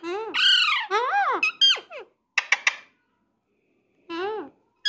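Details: Pet Alexandrine parakeet trained to talk in Hindi, indoors: a run of rising-and-falling harmonic syllables like spoken words, three quick clipped notes, a pause, then another arched syllable and a final short note.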